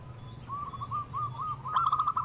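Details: Local zebra dove, song played to prompt captive doves to sing: a soft series of rapid bubbling coos building to a louder, quick run of rolling notes at the end; faint steady high tone and low hum behind.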